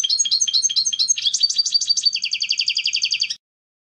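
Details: Fast twittering European goldfinch song, broken chirps running into an even, rapid tinkling trill; a faint low hum in the background.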